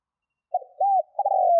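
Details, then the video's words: Spotted dove cooing, played as a lure to stir wild doves into calling quickly: a soft, low, mellow phrase with a short opening note, a rounded rising-and-falling coo, then a drawn-out coo sliding downward. The recording is otherwise silent and ends abruptly. "Tiếng CHIM CU GÙ GÁY KÍCH BỔI NHANH GÁY"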